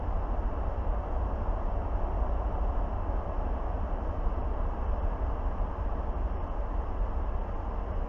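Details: Continuous low roaring wind dominates throughout, and no animal voice can be picked out.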